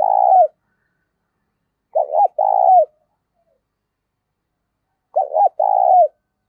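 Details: Spotted dove with a loud, clear 'thổ pha' style voice and little background noise: the end of one coo, then two complete phrases about three seconds apart, each a stuttered double note followed by a sustained falling hoot.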